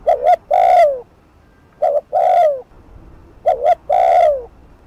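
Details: Spotted dove on a decoy, cooing in fast 'thúc gù' style to draw a rival; three repeated phrases of a short stuttered double note and a long resonant falling coo, clean with little background.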